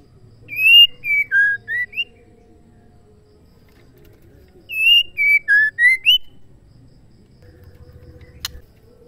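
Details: Female white-rumped shama call meant to make males sing, given twice about four seconds apart: each a run of five whistled notes falling then rising, with a single sharp click near the end.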